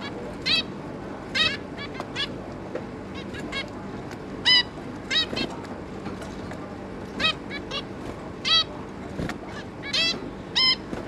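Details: Two adult zebra finches with three juveniles, May 2022: a string of short, tinny, nasal call notes spaced unevenly, single or clustered, over low constant room noise.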